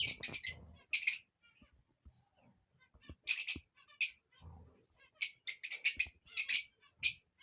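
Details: Rosy-faced and Fischer's lovebirds giving breeding-stimulation calls: irregular bursts of harsh, shrill chirping and squeaky chatter, separated by short pauses with faint clicks and low knocks.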